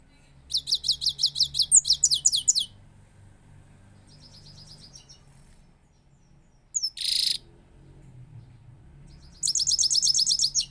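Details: Powerful singing from a goldfinch, one of a keeper's new birds, in a song style called rolling, linked to Parachinar: fast bursts of sharp, high, evenly repeated twittering notes, a pause with one brief note, then another rapid rolling run.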